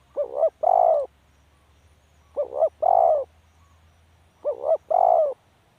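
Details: Spotted dove repeating its call three times: a stuttering two-note coo leading into a drawn-out soft coo, phrases spaced about two seconds apart, with a faint low hum behind.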